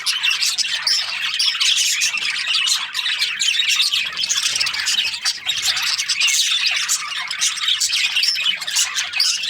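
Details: Continuous chattering of Australian budgies, rapid squeaky notes and warbles piling on one another, the volume rising and falling slightly in waves.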